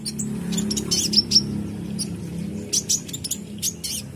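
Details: High, dry chirping and twittering bursts from a caged purple-throated sunbird answering a lively singer, partly overlapping a steady low droning hum throughout.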